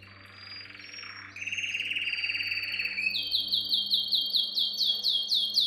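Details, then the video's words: Canary singing a training song for young birds: a thin high note and a buzzy roll lead into a bright, rapid, evenly repeated series of chopped upswept notes, about four per second, over a low hum. "Most powerful song for training Canary"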